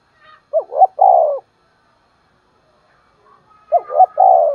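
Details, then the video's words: Spotted dove kept as a decoy, cooing in the morning to lure wild doves: two loud low phrases about three seconds apart, each a quick two-part coo followed by a longer, drawn, wavering coo, with faint high chirps between. "Chim cu gáy mồi gáy gọi kích bổi buổi sáng"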